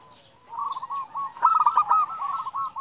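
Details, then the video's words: Zebra dove, a female calling to the male, used to lure and excite males: rapid stuttering, rolling cooing notes in a dense series with a softer lower note beneath, faint background chirps. "Perkutut betina memanggil jantan"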